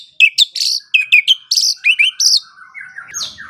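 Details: White-rumped shama song from a morning and evening recording meant to train songbirds: rapid clear notes delivered in quick clusters, high sharp whistles mixed with dropping slurs, fading into softer warbling at the end.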